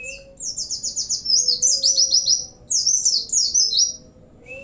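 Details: Oriental white-eye (pleci) in full song, its song filled with cililin-style phrases and bren and cigun elements: two rapid bursts of high, thin, descending chirped notes in fast chains, over a faint steady low hum.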